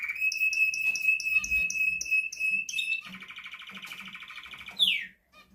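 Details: Red canary male in song: a rapid series of repeated chirps over a steady held tone, followed by a rolling lower trill and a brief sharp downward sweep before the song stops.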